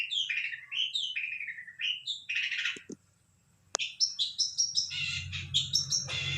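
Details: Lively song from a long-tailed shrike, a fast jumble of chirps and whistled slurs, a short pause, then more rapid varied notes over a faint low rumble.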